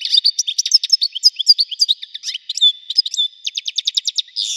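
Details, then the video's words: Continuous wedani-style singing from a European goldfinch, with varied high twitters, slurred whistles and buzzes that run into a fast, evenly repeated series of chirps near the end. "حسون ويداني حصري صوت مزلزل"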